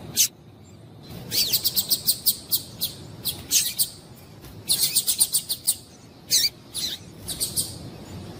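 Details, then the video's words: Female double-collared seedeater calling to stimulate males to sing: bursts of short, sharp, high chirps in quick clusters of four to eight notes, separated by brief pauses, over a faint steady background hiss. "Piado de Fêmea de Coleiro Para Esquentar Coleiro"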